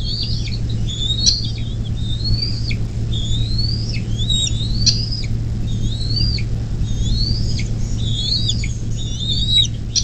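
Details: Bald eagle at its nest on the Little Miami River, southwest Ohio, USA, 24 May 2024, mid-morning: continuous chattering of high, thin whistled notes rising and dropping, with light clicks and a steady low camera hum.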